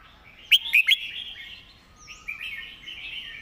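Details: Red-whiskered bulbul in its clear master song: a quick loud trio of sharp whistled notes opens, then fades into quieter continuous warbling of other birds.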